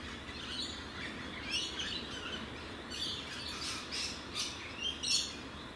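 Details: Rainbow lorikeets in Australia, a bird often found in loud, fast-moving flocks: scattered overlapping shrill screeches and squawks throughout, over a steady background hiss.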